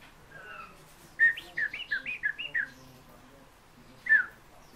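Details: Fieldfare singing: a short series of clear, clipped whistled notes at mid pitch, about eight notes in under two seconds, then a pause and one louder note alone; quiet background.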